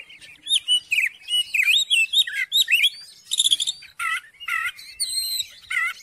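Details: Oriental magpie-robin song used to provoke a reluctant magpie-robin into singing: a fast run of varied whistled and chattering phrases, some rising and falling, some buzzy bursts around the middle, with short gaps between notes.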